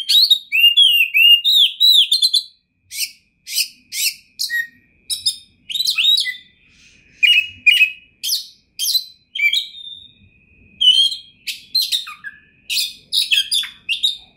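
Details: Oriental magpie-robin of championship quality opens with a rapid rippling run of looping whistles, then continues with crisp chirps, buzzes and sliding notes in short bursts separated by brief silences.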